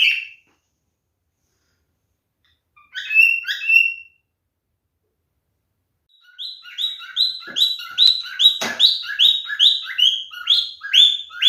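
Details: Male cockatiel mating sound: a short call, a brief pair of harmonic chirps after a pause, then a fast run of rising, buzzy-edged calls for five seconds, with a few sharp clicks.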